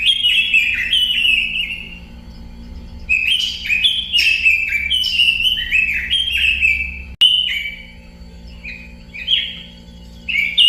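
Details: Robin singing a lively run of clear whistled notes, many sliding down in pitch, delivered in rapid bursts with short pauses near three and seven seconds; a faint low steady hum underneath.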